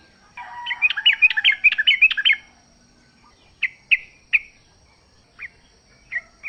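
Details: Sooty-headed bulbul singing in the wild: a quick tumbling phrase of chirpy slurred notes for about two seconds, followed by quiet and then single sharp notes spaced a second or so apart. Used as a lure for caged birds.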